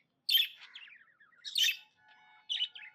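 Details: Pet budgerigar giving happy chirps: two loud scratchy chirps, each trailing off into soft descending twitters, with a faint steady tone and a final short chirp.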